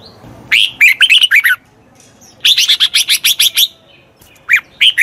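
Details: Red-whiskered bulbul singing to train a wild-caught bird, three loud bursts of rapid, bright chirped notes with rising and falling whistles, short silent gaps between phrases.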